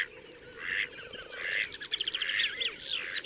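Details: Slavonian grebe in the wild at Gavieze, Latvia, May 2024, with squealing, rippling trills that rise and fall, over a background chorus of lower water-bird calls.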